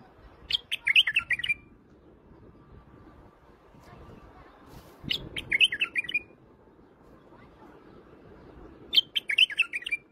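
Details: Iraqi white-eared bulbul song: three repeated phrases of rapid, liquid, warbling notes, each lasting about a second and ending in a short trill, spaced roughly four seconds apart with quiet background hum between.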